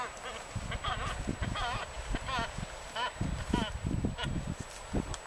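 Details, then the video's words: Waved albatrosses courting at Punta Suarez, Española, Galapagos, trading nasal, wavering calls in short bursts over dull, low clattering, with a person speaking briefly in the background. "Waved Albatross Courting Ritual"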